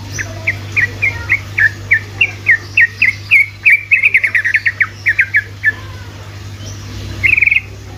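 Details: Sooty-headed bulbul, trucukan, giving quick repeated chirps meant to spur quiet bulbuls into song, the notes speeding into a dense rattling cluster, then a pause and a brief warble at the end; low constant hum present.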